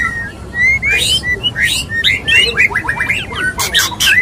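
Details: Male white-rumped shama courting a female; rapid varied whistled phrases and chips, sharp upslurred notes repeated in quick series, with harsh broadband bursts toward the end.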